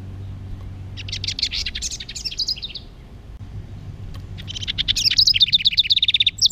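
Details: Bird the owner is pretty sure is a hermit thrush singing two flute-like phrases, each a swirling cascade of high, ethereal notes, the second pitched higher than the first, over a low background hum.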